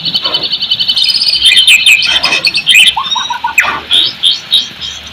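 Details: Shama lure song for lazy birds: a busy run of high chips and whistles over a constant high ringing tone, then a short series of lower quick notes and scattered soft calls.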